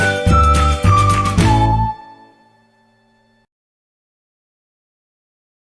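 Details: A short musical jingle of three falling chime notes over a low tone, fading to silence; no animal is heard.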